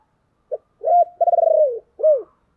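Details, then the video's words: Spotted dove luring wild doves with the low 'chìm' coo: a brief lead note, a hoarse rising coo, a long rapidly pulsed coo sliding downward, then a final arched coo. The sound is clean and close. "tiếng chìm cu gáy"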